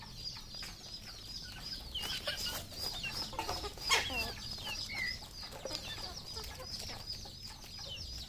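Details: Many red junglefowl on a farm in Cambodia, continuous high chirping with irregular clucks and a louder cluster of calls around the middle, over faint background hum.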